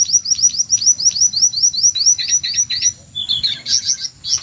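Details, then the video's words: Shrill jongkangan screeching, recorded to excite white-rumped shamas for competition: rapid run of high upslurred notes, about two per second, shifting into harsher lower chips and brief bursts. "SUARA MENJERIT BURUNG JONGKANGAN"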